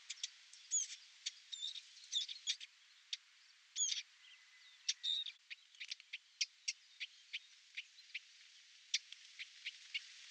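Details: Eurasian blackcap parents feeding nestlings at a nest in a cherry-laurel hedge during the breeding season. A few brief scratchy warbled notes, then a steady run of hard, dry tack notes about two or three per second.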